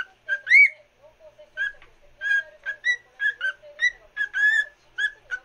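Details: Cockatiel sings for another cockatiel, a run of clear whistled notes with rising slurs and short chirps, each lasting about a quarter second, over a soft low warble.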